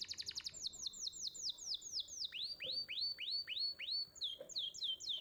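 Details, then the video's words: Canary song used as training audio for young canaries: quick repeated sweeping notes that slow into a series of rising-and-falling whistled arcs, then quicken again, with faint background noise. "Pancingan Kenari Muda Cepat Bunyi & Ngeriwik"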